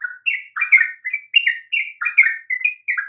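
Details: Sooty-headed bulbul singing to provoke other birds to sing: a quick run of short, bubbly whistled notes, slurring up and down, about a dozen in three seconds with brief gaps between them.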